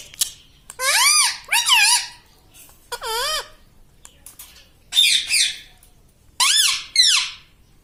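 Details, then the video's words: Pet parrot talking indoors, repeating "mitthu" and "mummy": four groups of loud, rich, curved syllables that sweep up then down, separated by short quiet gaps in a small room. "Talking parrot - Mitthu mitthu - Mummy Bolne Wala Tota"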